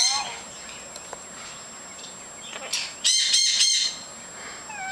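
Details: Several pet lorikeets, outside while their cages are cleaned and chattering a lot, give harsh, buzzy screeches in a quick run of three near the end, after thin whistles and soft chirps over a steady high hiss.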